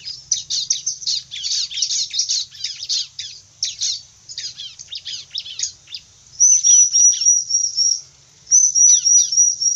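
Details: Bar-winged prinia in vigorous song, bursts of sharp, high twittering chirps delivered rapidly, about four notes a second, broken near the end by two thin, level, high whistled phrases.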